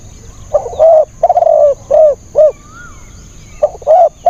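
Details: Spotted dove used as a decoy to lure wild birds, giving loud hoarse cooing notes in uneven groups of two to four, with short pauses between bursts and a faint thin whistle in the background.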